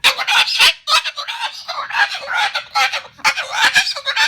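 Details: Angry pet Moluccan cockatoo at home, objecting to the clearing of its nest of shredded food on the kitchen table, utters loud, rough, rapid screeches almost without a break.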